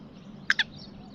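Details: Black francolin (Francolinus francolinus), described as a cross of Gangas lalpotia and Sindhi kala teetar, gives two harsh, grating notes about a tenth of a second apart over a faint low hum.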